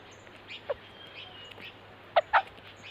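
White-crested laughingthrush giving a few short, low clucking notes, one alone then a quick pair, with faint higher chirps over a steady low hum.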